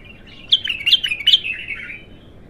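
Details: Untrained bulbul, known locally as Abtar, singing for the first time: one loud run of three rich, bubbling whistled notes that slide down into a trailing warble.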